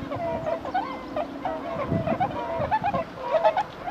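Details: Swans landing on water in early March 2016, when they head back north: overlapping honking, bugle-like calls from several birds, repeated in rapid irregular bursts with steady background noise.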